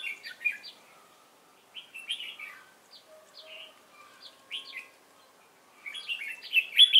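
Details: Fighting-style competition song of a freshly caught Red-whiskered bulbul, 22 October 2018: bright, slurred whistled phrases in separate bursts with short pauses, a loud rapid run closing the clip, and a soft low hum underneath.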